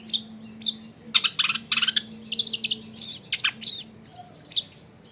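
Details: Long-tailed shrike singing to provoke other shrikes into song: clustered scratchy chatters and squeaky notes in uneven bursts, a few thin whistles, over a steady low hum from a crowded residential setting.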